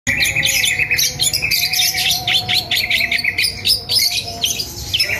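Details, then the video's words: Long-tailed shrike kept as a cage bird, set outside in the morning, giving a dense run of harsh chattering and scratchy notes with sharp high chirps, alongside steady low hum and faint tonal lines in the background. "Cendet keluar pagi pagi agar sehat dan gacor"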